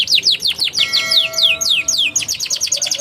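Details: Canary singing a lure phrase for young birds that have stopped singing: repeated downward-sweeping chirps with a steady held tone beneath, then a quick chattering trill.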